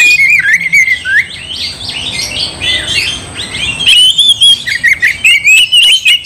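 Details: Oriental magpie-robin singing to provoke another into combat: slurred whistles open the phrase, a softer scratchy jumble follows, then a loud series of sharp clipped whistled notes repeated rapidly.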